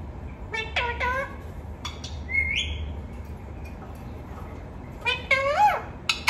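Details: Talking pet parrot giving short harmonic, nasal calls, a rising whistled note, then a longer wavering, bending call near the end, with low background hum between sounds.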